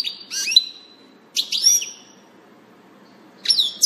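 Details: European goldfinch recorded 16 June 2018, singing three short bursts of bright, tinkling twitters, each ending in a thin, drawn-out whistle, separated by brief pauses.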